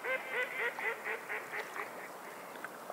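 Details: Seabirds on a seashore giving a rapid series of about eight nasal, harmonic calls, roughly four per second, that grow fainter and end after two seconds, over a steady hiss of waves.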